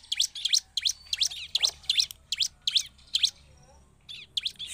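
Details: Bar-winged prinia (Prinia familiaris) song used as a lure to provoke other prinias to respond: rapid, high, sharp upslurred chirps in quick bursts, about ten notes in under five seconds, with faint low background hum.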